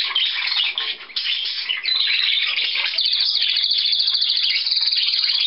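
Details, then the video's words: A canary sings on 4 April 2010, a loud, continuous high trill shifting after a few seconds into a fast, even rattle of rapid repeated notes. "Hier trillert ein Kanarienvogel"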